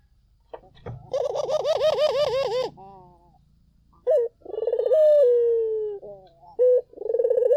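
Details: Collared dove song used as a lure to draw answers from other doves: a rolling, pulsed coo that wavers up and down, then a long, drawn-out note sliding gently downward, followed by short clipped coos and another rolling phrase.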